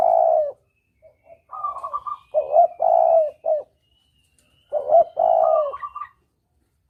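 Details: Spotted dove coo sequence used to lure doves for hunting, double-kuk style: a long mellow coo, a rolling higher note, then paired short coos and sustained low coos in repeated phrases, with a faint thin whistle in the background.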